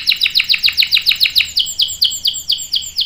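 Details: Canary in full, lively song, recorded as a tutor for young birds: a steady series of high, sharply falling whistled notes, about two per second, bright and clean over a quiet background.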